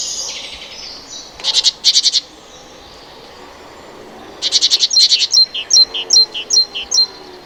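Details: Great Tit giving a few harsh buzzy bursts, then a run of clear two-note whistled phrases repeated about six times with steady spacing.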